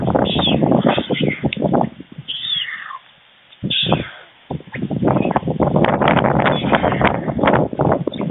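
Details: Two white stork nestlings near fledging beg for food at the nest in Fohrde, Germany, 16 July 2019 around midday, as the male adult brings lunch: a busy stream of rasping, clattering sounds with a few high, cat-like mewing wails, then brief quiet.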